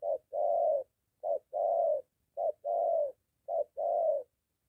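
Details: Spotted dove calling, a moulting lure bird encountering a wild male near a house: soft low coos, each pair a brief note followed by a drawn-out one, repeated steadily in quiet surroundings.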